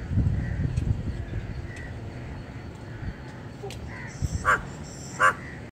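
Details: A gallinule bringing nesting material gives two loud, harsh, nasal notes about a second apart, over a low rumble of wind or handling noise.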